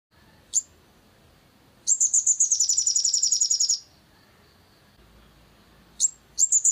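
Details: Crimson sunbird lure recording meant to rouse a caged bird into singing: a sharp high note, then a fast, thin, very high trill of about twenty even pulses lasting two seconds, a pause, then more sharp notes and another trill starting.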